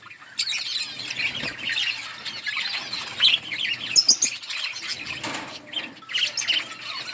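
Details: Budgerigars in a colony chirping while eating green leaves; steady overlapping warbled twittering with a few sharper high chirps and clicks.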